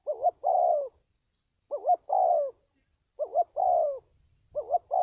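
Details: Spotted dove call recorded for training decoy birds and luring wild doves into traps: a quick doubled note followed by a longer, falling, hollow coo, the phrase repeated four times in a quiet setting.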